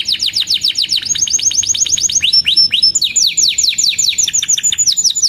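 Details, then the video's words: Singing canary, played to teach young birds and revive silent ones: rapid repeated descending whistled notes, several quick phrases in a row with brief high pure tones between them. "Burung Kenari GACOR Cuit Cuit EMOSI‼️Pancingan Kenari Paud Belajar Bunyi"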